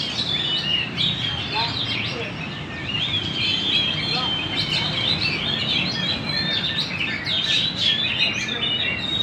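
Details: Magpie-robin in lively, persistent song (gacor) at Banjar: rapid bright chirps, trills and sharp whistled phrases run without pause, with a steady low background hum throughout.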